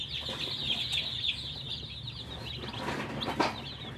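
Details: Thirsty coloured chicks call for water, a softer, more distant chorus of continuous high peeps, with a low background hum and a faint knock.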